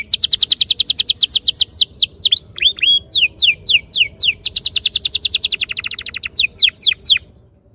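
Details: Canary song played as a lure to get canaries singing long rolls; bright high trills of downswept notes alternate with slower looping whistles, ending abruptly near the close.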